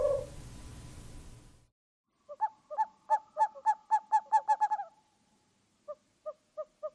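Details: After a burst of rustling noise, an owl gives a quick series of short hooting notes, about a dozen in a row, then four more spaced slower near the end.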